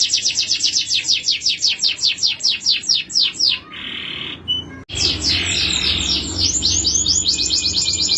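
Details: Male canary pouring out rapid descending whistle sweeps, pausing for a soft buzzy note and a clear tone, then resuming with a fast, dense, high-pitched trill.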